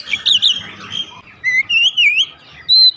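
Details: Oriental magpie-robin kept at home answering loudly: warbling whistles, then separate clear slurred whistles rising and falling, ending on a long steady high whistle.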